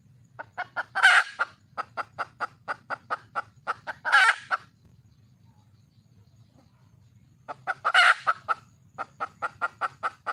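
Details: Wild red junglefowl hen calling for a male: series of short clucks, about three per second, broken by loud harsh drawn-out squawks, then a quiet pause before another squawk and a further run of clucks.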